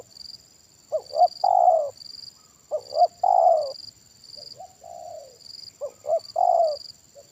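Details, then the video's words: Spotted dove, big-voiced 'kuk satu' type, at a decoy-bird trapping session: three loud phrases of two short coos plus a long descending coo, with a softer coo between them and a constant high thin buzz. "Permainan Tekukur Suara Besar Kuk Satu"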